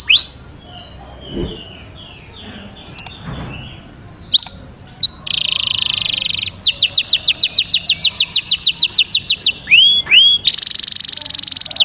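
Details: Canary mating song starting with faint soft notes and a few isolated chips, then a loud buzzy roll, a long quick trill of evenly pulsed notes, two rising slurs, and a sustained buzzing tone.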